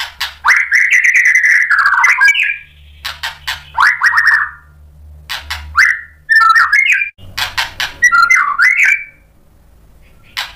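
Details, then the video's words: A white-rumped shama, provoked by a rival fighter, sings its varied learned repertoire in bursts. Long buzzy whistled runs alternate with crisp clicks and short twisting phrases, separated by pauses over a faint low hum. "MURAI BATU GACOR bikin EMOSI NYAUT FIGHTER jadi BONGKAR ISIAN | PANCINGAN MURAI"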